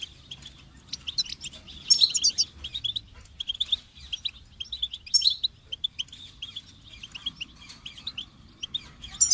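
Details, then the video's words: Lively goldfinch twittering: long runs of quick high chirps and tinkling trills, with louder bright bursts every few seconds over a soft low hum. "Amplifying the Goldfinch's Voice"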